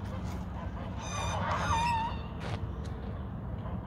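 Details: Geese fighting: a harsh, rising-then-level honk with stacked overtones swells through the middle of the scrap, set against a constant low rumble of background noise.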